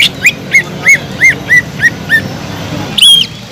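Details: Sumatran leafbird in full song, played to stir up leafbirds lacking aggression and raise their breeding drive; a run of seven even, arched whistles about three per second, then a higher sharp note.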